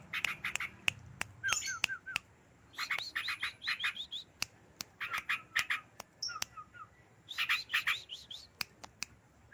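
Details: Ashy drongo in full song: bursts of quick chattering notes and short downslurred whistles, separated by sharp clicks and brief pauses, with a soft background hiss.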